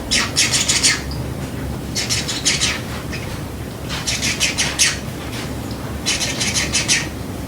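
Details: Pet lineolated parakeet imitating a kitchen timer: bursts of rapid, high, scratchy chirping pulses, each about a second long, repeated roughly every two seconds, over a steady indoor background hum.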